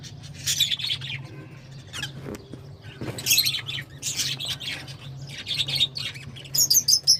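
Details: Intermittent shrill lovebird chirps and squeaky chatter, bursts spread across several seconds with a few piercing high notes near the end, over a steady low hum.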